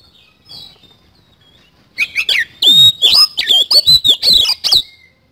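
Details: Oriental magpie-robin giving 'isian kasan' song: quiet at first, then nearly three seconds of loud, rapid, high whistles and harsh twisting notes, about three per second.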